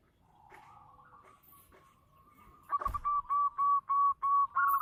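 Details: Local zebra dove (perkutut lokal) in full song with a big voice: soft, drawn-out murmuring at first, then after a sharp click a regular row of loud, even, bubbling coos, about three per second.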